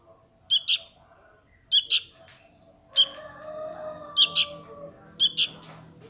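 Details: Young sooty-headed bulbul calling for its parent, giving paired sharp chirps about once a second, with a soft hissing background and a faint tonal hum.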